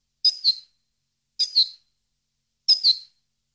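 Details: Goldfinch sound used for training caged birds: three high, bright two-part chirps, each about half a second long, repeated roughly every 1.2 seconds on an otherwise quiet track.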